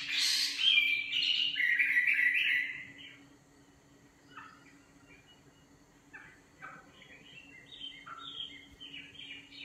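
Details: Nightingale song opening with a loud, rich warbled phrase for about three seconds, then quiet scattered short notes and soft whistles, a constant low hum throughout.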